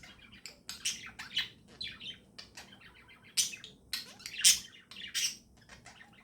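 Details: Morning chirping from pet budgerigars, a steady stream of quick high chirps and scratchy chatter with several louder bursts, over a faint low background hum.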